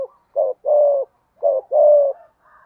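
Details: Spotted dove giving thúc gù coos in giọng thổ voice, heard as two paired phrases, each a short coo followed by a longer, harsher, buzzing coo, with a faint higher sound at the end.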